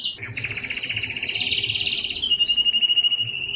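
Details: Belgian canary's strongest breeding song aimed at females: a short note, then a long buzzy rolling trill gradually sliding lower into a steady pulsed tour.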